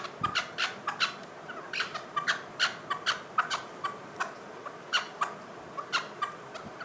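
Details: Chukar partridge uttering irregular, sharp clucking notes, some paired, spaced unevenly and fairly quiet against a faint background hiss.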